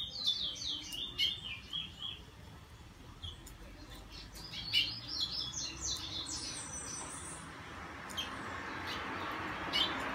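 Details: Morning tryout song of a bullfinch: short bursts of high warbled and piping notes separated by gaps, with clicks throughout and a rising hiss of background noise toward the end.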